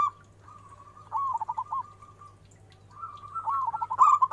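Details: Local zebra dove singing a lure song for fast responses. Soft drawn coos lead into two phrases of quick rolling notes, the second louder and ending in bright, rapid staccato pulses. A faint steady hum sits in the background.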